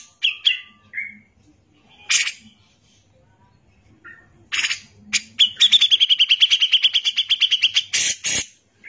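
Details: Cucak jenggot (grey-cheeked bulbul) in full 'gacor' song for tutoring other birds: scattered sharp chirps and brief harsh notes, then a sustained rapid series of clipped repeated notes and two loud rasping bursts.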